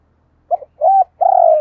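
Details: Calling decoy spotted dove: a clipped coo, a smooth arched coo, then a long purring note that slowly drops in pitch. Nothing else is audible.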